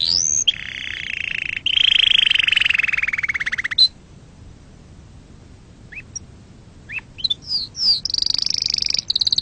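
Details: Canary song for teaching young birds: a buzzy mid-pitched trill, a short pause with scattered chirps, then a high rolling trill.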